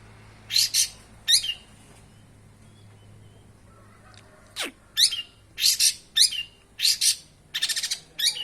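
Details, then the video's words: Long-tailed shrike, described as a fighting bird and a thousand-language mimic, giving bursts of harsh, high chirps and buzzy notes, with one long downward whistled sweep mid-way, then rapid chattering phrases in close succession. "Cendet burung seribu bahasa"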